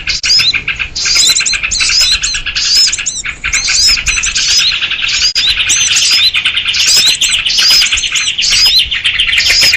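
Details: Lure recording of noisy sooty-headed bulbuls, meant to attract small birds for trapping. Continuous excited chatter of rapid chirps and bright rising whistled notes in bursts roughly every second, several callers overlapping throughout.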